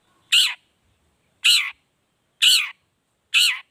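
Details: Long-tailed shrike 'toet toet' lure variation, used to make other shrikes sing: four loud harsh nasal notes, one roughly every second, on a quiet background.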